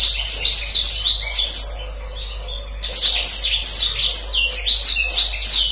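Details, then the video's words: Continuous rolling song of a black-throated canary, a tutor song for canaries: two long runs of rapid high whistles and trills separated by a softer stretch. "Kicauan Blacksang Gacor Ngeroll, Paling Digemari Dan Mudah Dihafal Kenari Manapun"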